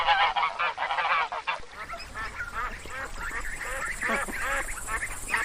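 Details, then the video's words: White domestic geese on a farm honk in loud, nasal, overlapping bursts, several birds calling at once in a rapid, raucous chorus. "white goose sound"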